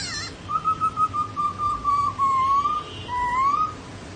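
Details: Laughingthrush song: a long, clear, slightly wavering whistle held for more than two seconds, then a shorter rising whistle after a brief pause.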